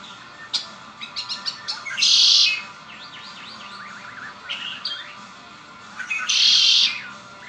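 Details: A pet red-winged blackbird sings twice, about four seconds apart. Each song is a quick sputter of clicky notes ending in a loud buzzy trill. Rising chirps are heard in between.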